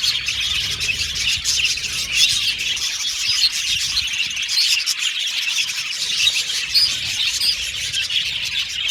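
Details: Budgerigar colony in an aviary filling the air with constant busy twittering, scattered sharper chirps and a few brief whistles over the chatter.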